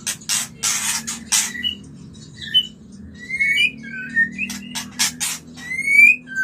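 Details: White-rumped shama song used to stimulate mating and breeding: clear whistled notes around high pitch, some rising and falling, mixed with harsh broadband rasping bursts and short chattering notes, over a low steady background hum.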